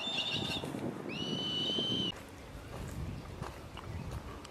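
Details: Black sparrowhawks, adults teaching juveniles of 76 days to hunt: a short high whistle, then one sustained, even, whistled wail of about a second that starts with a quick rise, followed by quieter rustling background.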